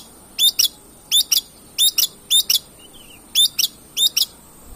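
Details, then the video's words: Long-tailed shrike song played as a lure to make birds sing: sharp high chirps in close pairs, each pair repeated roughly every 0.6 seconds, with one soft twitter between. "pancingan cendet gacor"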